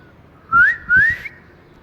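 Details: Pet talking rose-ringed (ring-neck) parakeet enjoying cool weather gives two clear, rising whistles in quick succession, each sliding upward about a quarter second, over a faint low hum.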